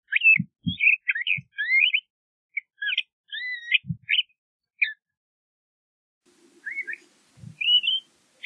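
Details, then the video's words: LeConte's thrasher singing a string of varied short whistled and slurred phrases, rising and falling notes in quick bursts separated by brief pauses, with a few soft low thumps underneath. "LeConte's Thrasher Bird Singing, Calling, Chirping - Cuitlacoche Pálido Canto"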